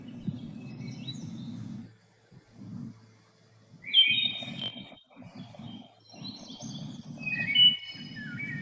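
Wood thrush song: fluty, ringing phrases with a trilled finish, given in short bursts a couple of seconds apart, over a low murmur of a person talking.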